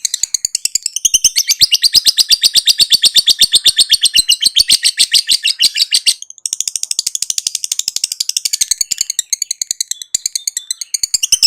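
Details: Pet lovebird delivering long chattering song, a fast, rattling, unbroken stream of grating high notes that briefly pauses midway, then resumes at a slightly higher pitch.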